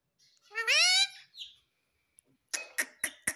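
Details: A pet parrot that talks, saying papa and mummy, gives a long, loud, harsh rising screech and a short softer note. Four sharp tapping clicks follow at the end.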